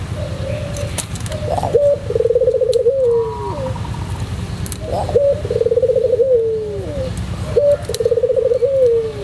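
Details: A white collared dove of the pelung type sings its cooing song, a tutoring recording: three rolling, trilled coos, each ending in a long falling note, with clicks and a low background hum.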